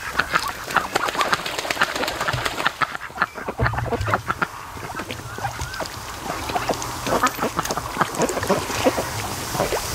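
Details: Flock of ducks lounging at a lake during the afternoon near a creek mouth, some mating between naps; dense bursts of clicky, nasal quacking with a brief lull before the chatter picks up again.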